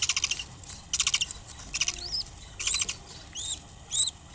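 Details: Budgerigar chicks from one clutch making bursts of rapid, high, scratchy peeping. Thin rising-and-falling squeaks are mixed in between the bursts, over a low rumbling background.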